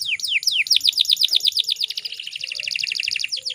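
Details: Breeding-condition female canary, calling to draw males into song, delivers clear downslurred whistles that accelerate into a dense, fast, high trill.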